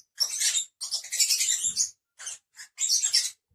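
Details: Five pet lovebirds: bursts of harsh, high screechy chattering lasting up to a second, separated by short gaps, with a couple of brief squeaks near the end.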